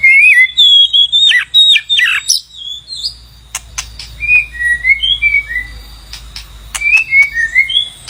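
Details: Song of a White-rumped shama, used for calling a mate: clear whistled notes and warbling trills, then repeated downslurred whistles roughly every half second with occasional sharp ticks, faint low hum beneath.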